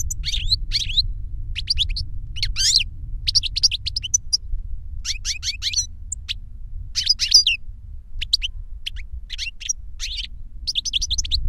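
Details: Older goldfinch singing to a younger goldfinch as a lesson; repeated clusters of rapid high twittering chirps every second or so over a steady low drone.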